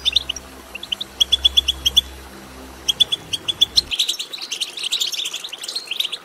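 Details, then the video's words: European goldfinch chirps to stimulate song: clipped tweets in quick groups at first, then a denser continuous liquid twitter taking over in the second half, low hum fading out. "بتبتة ماهرة في تحفيز الحسون على التغريد"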